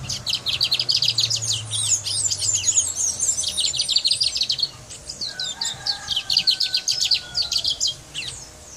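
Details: A brown mustache finch from Guyana sings a fast, high, twittering song of sharp chirps and trills almost without pause, with a faint steady whistle-like tone partway through.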